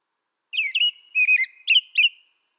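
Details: American robin song made of four quick, liquid whistled phrases, the last two sharper and higher, heard cleanly over silence.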